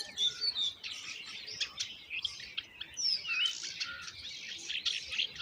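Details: Common myna chicks begging as their mother brings in moringa to feed them: dense, harsh, overlapping high chattering and squeaky chirps, continuous with brief louder bursts.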